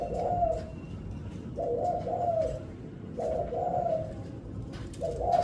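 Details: Spotted dove singing a stuttering variation: low, hoarse cooing phrases, each a quick broken coo run into a longer drawn-out note, repeated about every one and a half seconds over steady background hiss.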